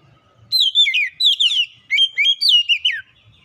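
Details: Oriental magpie-robin, called kacer, singing a lure song to coax another bird into song: one energetic two-and-a-half-second phrase of rising and falling whistles broken into quick chirpy notes, with quiet before and after.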